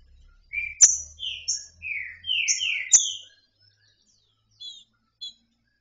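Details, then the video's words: Female green-winged saltator, free, soliciting mating: a run of about eight slurred whistled notes at varied pitches with two sharp clicks, then silence broken by two faint high whistles; faint low hum at the start. "fêmea de trinca ferro solta pedindo gala"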